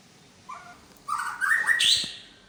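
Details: White-rumped shama of the Medan type, showing off the imitated notes of its repertoire: a soft low whistle, then loud rising and falling whistled phrases that climb to a bright high slurred note.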